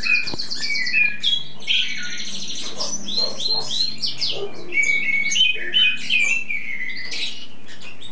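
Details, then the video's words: Bird in its spring song-showing stage, a tutor that sings for hours without stopping: long varied medley of rapid chirps, trills and sliding whistles, roughly three notes a second, with a faint low hum behind. "primavera cantando por horas sin parar!"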